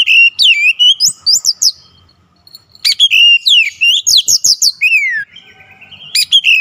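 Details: Oriental magpie-robin (kacer) in vigorous song, unloading its isian repertoire: bursts of bright, swooping whistles and sharp downward slurs, broken by a short silent pause midway, then resumed with another rapid phrase.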